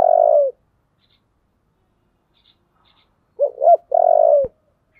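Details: Spotted dove calling in the giọng thổ style while pushed to fight. A long falling coo opens the clip. After a pause comes a full phrase of two short rising notes and a sustained coo.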